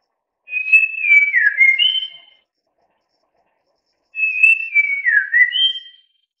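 White-rumped shama singing two rich, whistled phrases of slurred, warbling notes, each lasting about two seconds, with a two-second pause between; no other sounds.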